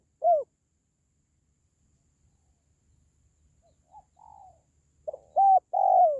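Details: Spotted dove calling, used to boost pet doves or attract wild ones. A single low coo, then quiet fainter coos, ending with a louder two-part cooing phrase.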